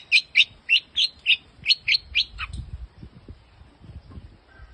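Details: Very rare creamino-mutation long-tailed shrike: eight quick, harsh chirping notes in a tight series over about two and a half seconds, then the bird falls quiet, leaving soft low background noise.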